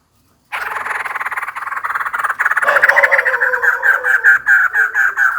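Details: White-crested laughingthrush, a female calling for a mate: a harsh, rapid chattering run of pulsed notes that starts rough and grows louder and more tonal, settling into a rhythmic series of strident mid-pitched notes.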